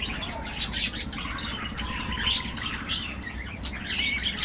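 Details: Budgerigars in an aviary during their afternoon feed: busy overlapping chirps and warbles, with sharp high notes rising above a constant chattering background.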